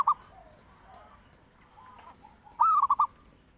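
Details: Zebra dove (perkutut) song recorded for luring and training other birds; after faint soft coos, one loud phrase of four or five rapid rolling notes near the end.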